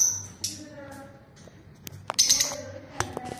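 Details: A colony of lutino lovebirds gives scattered shrill, high chirps, with brief bursts near the start and a louder cluster past the two-second mark, over a low background hum.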